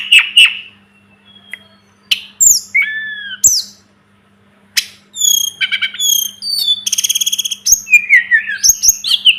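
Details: A Sunda robin (tledekan gunung) sings a varied phrase of separate notes: slurred downward whistles, sharp ticks and high chirps, then a fast trilled series and more rising and falling whistles. Quiet pauses break the phrase.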